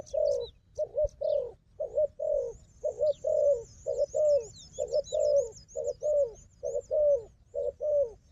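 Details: Steady series of rough coos from a wild dove said to fight well, alongside a strong decoy; each note swells then falls, repeating roughly once a second beneath high sliding whistles from another bird.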